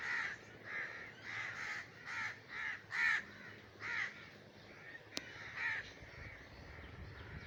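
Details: A Common Raven in breeding season gives harsh, hoarse caws, about nine in seven seconds at an uneven pace, with a single sharp click near the end.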